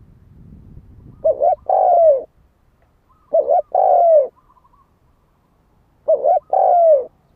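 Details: Spotted dove used as a lure to provoke fighting, with three evenly spaced phrases about every two and a half seconds: a wavering double note, then a sustained descending coo. Faint rustling opens the recording.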